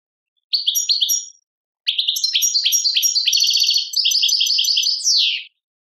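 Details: European goldfinch song, Tadmait label, Algeria: a short twittering burst, a pause, then a long varied run of liquid chirps and rapid trills finishing in a sharp falling slur.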